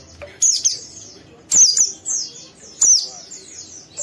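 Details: Young oriental white-eye singing harshly to stimulate another bird to join in: high thin descending chirps repeated in bursts about every 1.3 seconds, with faint low background noise.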